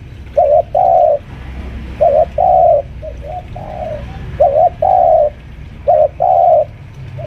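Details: Senior spotted dove lure bird, about five years old, kept at home, cooing while pressing a rival: low mellow coos in repeated phrases of a short note followed by a longer drawn-out one, roughly every one to two seconds.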